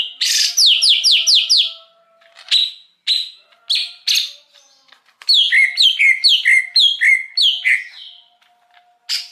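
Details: Lure song of a wild greater green leafbird for attracting wild birds: a fast string of down-slurred whistles, scattered single chirps, then quick paired notes dropping from high to lower pitch, repeated in series.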